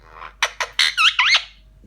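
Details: A pet male Indian ringneck (rose-ringed) parakeet, angry at the camera and wanting to bite the phone, gives a rapid run of five or six harsh, buzzy squawks in a quiet room, rising in pitch and getting more nasal and twisting near the end.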